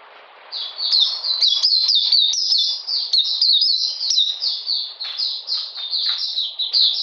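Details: A quiet start gives way to an Oriental magpie-robin's rapid chatter of piercing, downward-slurred chirps, recorded in cold rainy weather on 13 June 2020 while the bird was being dewormed.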